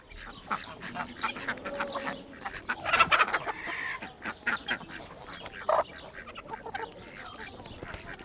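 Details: Chickens in a real outdoor chicken coop, a busy mix of short clucks and squawks rising and falling at irregular intervals, with one louder burst of overlapping calls near the middle and softer murmuring between.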